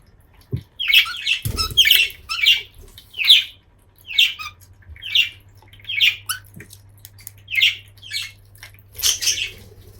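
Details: Eight-month-old pet budgerigar, not yet in breeding condition, gives a run of bright, scratchy chirps, about one each second, indoors in a small room; the owner says it makes puppy-like calls when happy or having fun.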